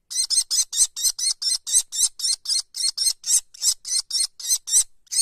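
Common kestrel chicks give harsh, hissing screeches, about four a second in a steady, rapid run, with no other sounds.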